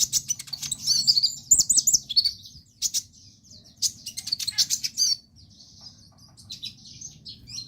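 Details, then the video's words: Lively sunbird song used to set other sunbirds singing and train young birds: rapid high twittering and scratchy chirps in bursts, quieter thin notes after a pause, faint low hum. "KONIN GACOR BUAT PANCINGAN TROTOLAN"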